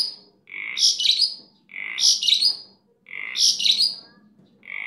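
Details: A kept starling singing in a very lively, chatty style, described as super gacor: three repeated phrases about 1.3 seconds apart, each opening with a low buzzy note and breaking into harsh, squeaky, bursting notes.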